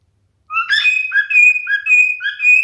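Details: Continuous whistled song from a male cockatiel, rising notes alternating with long level whistles in a lilting, repeating pattern.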